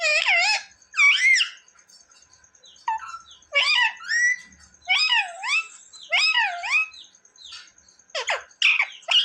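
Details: Pet parrot said to talk, calling "mummy" and "papa": a quick series of wavering, up-and-down voice-like syllables, some squeaky and bent, delivered in uneven bursts with short pauses.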